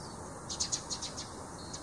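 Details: In April, among cherry blossoms where it robs nectar, a Eurasian tree sparrow gives a quick run of about eight short, high chirps over a second and a half, against a faint steady hiss.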